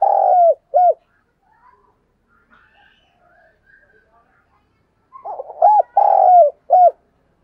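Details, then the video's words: Decoy spotted dove calling to draw in wild doves, giving two low cooing phrases several seconds apart, each of short arched coos and a long drawn-out falling coo, with faint soft sounds in the gap. "Chim Cu Mồi/ cu gay kich boi hieu qua nhanh noi gù, cugay"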